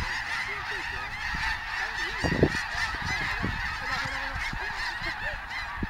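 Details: Wintering snow geese at Bosque del Apache National Wildlife Refuge, a large flock calling together in a dense continuous chorus of overlapping nasal honks and yelps, with a few louder close calls standing out.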